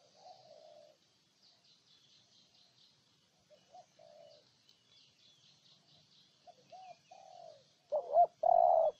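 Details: Spotted dove from Ninh Thuận, Vietnam, cooing: soft low coos spaced out, ending in two loud, close hollow notes, while another bird twitters rapidly in high pitch in the background.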